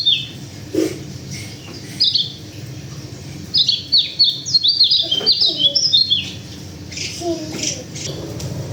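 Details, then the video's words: Sulawesi local white-eye sings scattered high chirps, then a dense, quick run of sharp, slurred whistles near the middle. Softer lower notes and background hiss follow. "Pleci lokal sulawesi"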